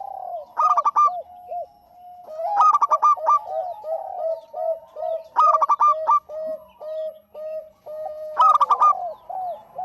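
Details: Lure recording of a lively local zebra dove: sharp stacked coo bursts at regular intervals, each followed by a chain of soft bouncing arched notes, clean and without other sounds.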